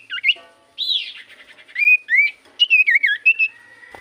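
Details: Common iora song used as a lure to make other birds sing back: clear whistled phrases, rising and falling slurs and quick warbled notes, with short pauses between bursts.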